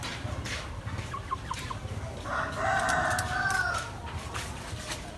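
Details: A calling hen gives a few faint soft notes, then a sustained, nasal, harmonic call of about one second, with rustling and clicks behind.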